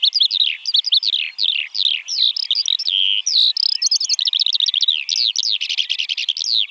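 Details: Eurasian Skylark (Alauda arvensis) pouring out rapid, high, twittering song. Tumbling chirps and buzzy trills run together without pause.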